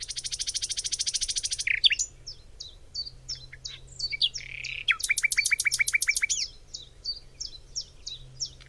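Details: Nightingale in a springtime forest of Cologne, Germany: a long buzzy rattling trill lasting nearly two seconds, a string of short clipped notes, then a rapid rattle of repeated notes and more chips, over a faint low hum.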